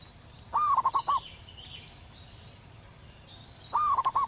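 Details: A wild local zebra dove gives its loud, long song twice: a rising whistled start breaking into four or five rapid bubbling coo pulses, the phrases about three seconds apart, with soft distant chirping between.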